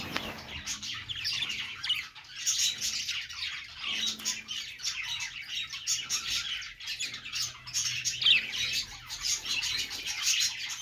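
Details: Happy budgie chatter: unbroken high, scratchy warbling with rapid chirps and squeaky notes layered over one another throughout, with a faint low hum and brief low tones in the background.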